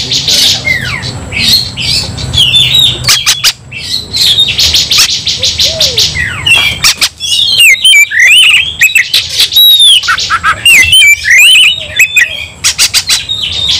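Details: White-rumped shama singing hard while fired up to fight, with buzzy rasping phrases alternating with looping, rising and falling whistles and quick trills, almost continuous, over a steady low background hum.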